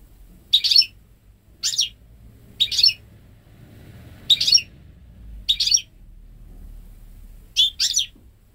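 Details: Home-bred goldfinch × canary hybrid, hatched May 2013, singing at ten months old with pure goldfinch phrases, never having heard a male canary; six short bright twittering bursts spaced about a second apart, low hum beneath.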